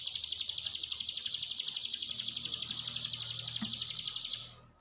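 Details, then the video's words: Hill prinia song used to stimulate caged birds: a steady, high, rattling trill of rapid regular pulses running over four seconds, fading at the end. "ciblek gunung diam saja kurang loss mental ciut latih dengan pancingan ini"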